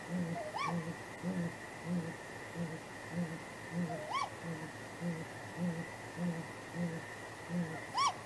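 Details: Great grey owl pair at the nest at night in April 2019, trading contact hoots before possible mating: deep soft hoots repeated about every 0.6 seconds, with a higher rising wail roughly every 3.5 seconds over a steady background hum.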